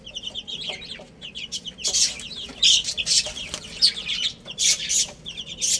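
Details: Baby hens pecking at food and playing. Thin, high, repeated peeps come from several chicks, interrupted by sharp bursts of scratching or pecking.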